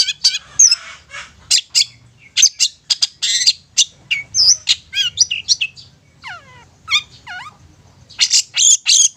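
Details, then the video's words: Long-tailed shrike lure song meant to make silent or reluctant shrikes sing: a loud, restless run of harsh chattering bursts, squawks and clear down-slurred whistles, packed closely with short pauses. "Pancingan Cendet"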